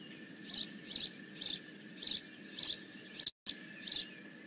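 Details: Bald eagle at the Decorah North nest, 15 May 2017: evenly spaced high, rasping chirps about every half second, one short dropout to silence near the end, steady faint hum behind.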